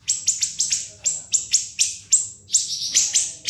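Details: Sharp, piercing high chips from a siri-siri, a continuous tutor song meant for other caged songbirds to copy, given in uneven bursts of two or three notes, with a slurred shrill phrase after the pause.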